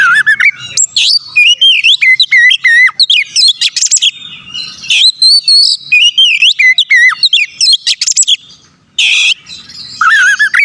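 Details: Oriental magpie-robin (kacer) pouring out a lure song for rival birds: fast runs of loud whistled notes that rise and fall in quick sequence, mixed with a few rasping bursts and short gaps, all clear against a quiet background.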